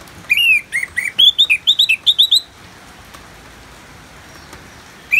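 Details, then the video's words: Orange-headed thrush song for bird therapy with rain: a run of about ten short, bright whistled notes, each slurring up then down, quickly repeated and slightly rising in pitch, then quiet hiss and one final note. "Terapi ANIS MERAH Ngeplong dan Suara Hujan ALAMI"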